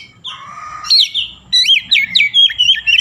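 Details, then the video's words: Oriental magpie-robin singing energetically in imitation of a Javan myna: a steady buzzy note gives way to a fast stream of strong warbled whistles and chirps, repeated roughly every quarter second. "KACER GACOR BESET SUARA JALAK KEBO"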